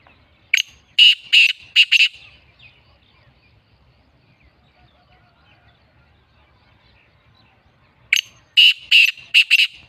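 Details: Black francolin, locally kala teetar, giving two harsh, grating phrases of about five rapid buzzy notes each, the second phrase coming roughly seven seconds after the first, with only a faint low rumble in between.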